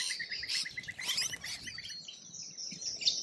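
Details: Australian lorikeet chatter: a quick train of short, evenly spaced pulsed notes under harsh, scratchy screeches, then softer, thinner twittering toward the end.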